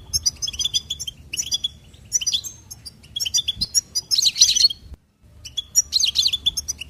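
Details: Lively goldfinch trills and warbles in separate bursts, each a quick jumble of high tinkling notes, two with harsh buzzy rattles, and a short silence before the last phrases.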